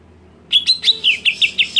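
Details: Greater green leafbird screaming to provoke other leafbirds: after half a second of quiet, a fast series of eight sharp, high chirped notes at a steady pitch, about one every fifth of a second.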